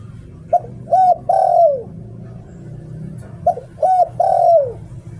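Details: Spotted dove kept as a decoy bird, singing in the style called liu tan: a soft three-part coo, with a short note, a rounded middle note and a long falling coo, given twice about three seconds apart over low background hum.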